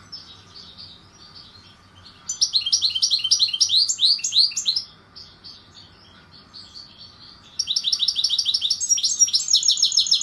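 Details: A European goldfinch (Carduelis carduelis), kept as a cage bird and later released back into the wild, sings two bright bursts of rapid, liquid, high, jumbled twittering and tinkling, with a quieter twitter between them.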